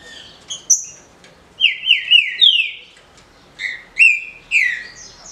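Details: Green-winged saltator singing the easy 'de roda' song in captivity: high whistled notes, a run of four falling slurred whistles, then further clear, ringing whistled phrases.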